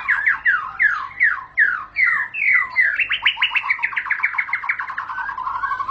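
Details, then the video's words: A white-rumped shama (murai batu) sings ngentrok: several loud down-slurred whistles at a slower pace, then speeding into a rapid run of short repeated notes that drift gradually lower. "Murai batu bakal langsung ngentrok"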